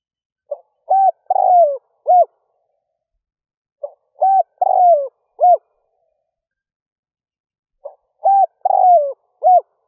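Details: A spotted dove used as a lure for wild doves coos at dawn. It repeats a five-part phrase three times, roughly every three seconds: a faint lead note, a coo, a drawn-out falling coo, then a short closing coo.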